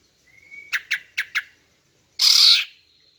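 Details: A female greater green leafbird calling to attract males: a thin rising whistle, four quick chattering notes, then one long harsh rasping call and a fading high whistle.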